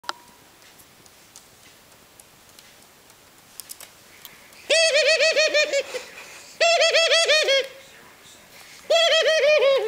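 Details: Burt, a 19-year-old ringneck dove, gives three rolling, purring coos about two seconds apart, each a fast run of throaty pulses, in an otherwise quiet room.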